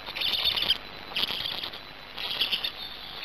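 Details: Hungarian black stork chick at its Gemenc nest, 10 May 2019 at 17:51, after managing to swallow a huge fish, utters three scratchy high-pitched rasping bursts separated by brief quiet gaps.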